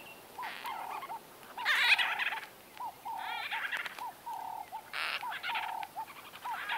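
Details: Close-range conversation of white-fronted bee-eaters: a steady series of short looped and flat trilled notes, broken by bursts of louder, harsher chatter from several birds.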